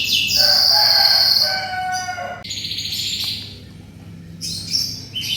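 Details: Energetic canary singing, used as a tutor recording for shamas. It opens with a loud, sustained, rich trill with layered tones and then breaks into quieter rolling phrases and short, sharp, high bursts.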